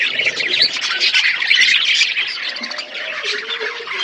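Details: Budgies at their food in an outdoor aviary: quick, high chirps tumble over each other in lively chatter, about two notes a second standing out, with a soft lower tone near the end.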